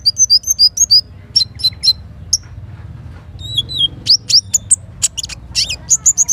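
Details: Little spiderhunter heard in morning forest by a river: a run of quick paired high whistles, scattered chips, a falling slurred note, then bright repeated chips, with a gentle low water rush beneath.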